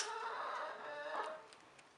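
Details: Rooster among hens giving a loud, harmonic, drawn-out crow that holds steady and then tails off, followed by quieter background noise.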